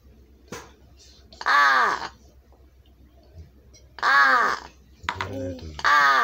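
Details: Large-billed crow during a session of being taught words: three loud, rasping caws spaced about two seconds apart, with a brief human voice and faint rustling in the quiet gaps.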